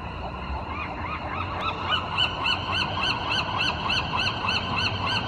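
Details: Gulls calling in morning fog, January 2020: a rapid series of arched, nasal honking notes, about three per second, repeated steadily over a constant low rumble of background noise.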